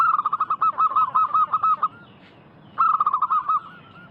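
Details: Vigorously singing local zebra doves, recorded as a lure to make wild doves answer: a long rapid series of rolling coo notes, a brief pause, then another fast trilled phrase.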